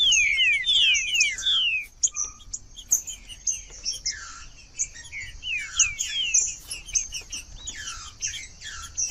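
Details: Green-winged saltator song for warming up a reluctant bird: an opening burst of loud, fast, falling whistles, then softer, more scattered notes with an occasional brief low tone, over a steady high hiss.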